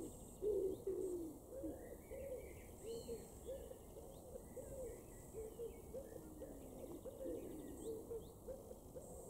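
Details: A wood pigeon in a garden in Weener, East Frisia, northwest Germany, in June 2022 coos in soft, husky, low rhythmic phrases about once a second, while small songbirds twitter faintly higher up.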